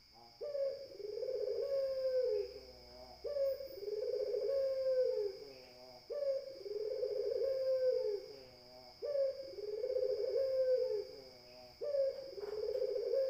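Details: Puter dove cooing steadily: five similar low rolling coos, each starting with an abrupt upward note then a drawn-out purring hum, repeated roughly every three seconds over a constant high-pitched background whine.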